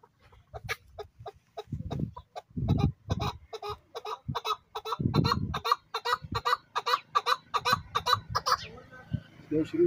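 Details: A local male chukar partridge in high spirits calls a long, steady series of dry chuk notes that speeds up and grows louder, with occasional low thuds and a scratchy rustle near the end.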